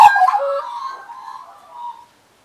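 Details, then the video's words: Australian magpies perched close on a person's arm and knee give a soft fluting warble, mellow wavering notes drifting lower and fading out over two seconds. "My Happy Place with Australian Magpies"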